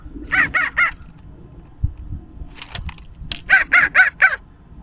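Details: A blue jay at a bird feeder gives harsh, nasal, rasping notes: a quick run of three, a pause with scratchy noises, then a run of four. The owner suspects it is mimicking another animal.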